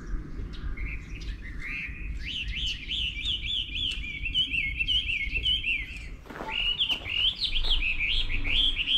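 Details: Morning wild bird song recorded 24/05/11: quick, bubbling warbles of about three notes a second, a brief pause near six seconds, then a bright, rapid burst of chirps.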